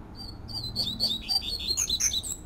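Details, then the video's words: Double-collared seedeater in nature giving its fluted 'tui tui' song: a lively, accelerating sequence of sweet, high whistles and slurs that rises steadily in pitch, over low background hiss. "COLEIRO PAPA CAPIM CANTANDO TUI TUI FLAUTEADO NA NATUREZA"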